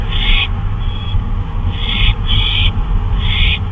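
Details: Owl out on a flyabout at 2:39 AM on 26 May 2013, giving harsh, hissy bursts about half a second long, repeated several times with short gaps, over a constant low rumble of background noise.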